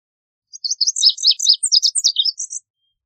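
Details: A Lazuli bunting sings a brisk two-second phrase of high, sweet and buzzy notes, some doubled, dropping and rising in a tumbling pattern against silence.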